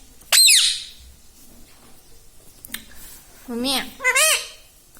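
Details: A talking rose-ringed parakeet saying "mummy": a sharp high squawk at the start, then after a quiet stretch, a couple of lower, wobbling, two-part syllables close together.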